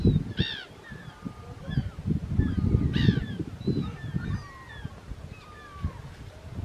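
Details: Second-calendar-year Mediterranean gull on Vlieland in the Netherlands, 24 August 2024: two strong, harsh, overtone-rich calls about two and a half seconds apart, with fainter calls between them and a constant low rumble of wind or surf.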